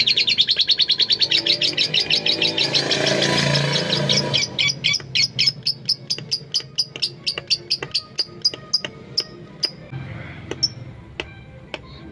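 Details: Tame female lovebird, kept as a stimulus bird for training others, opens with a fast high ngekek trill that breaks down after four seconds into slower, spaced sharp ticks.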